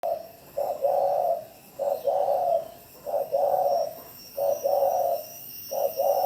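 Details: Spotted dove calling at Bảo Lộc, Lâm Đồng, Vietnam: repeated soft cooing phrases, each a short note followed by a longer mellow coo, about every one and a quarter seconds.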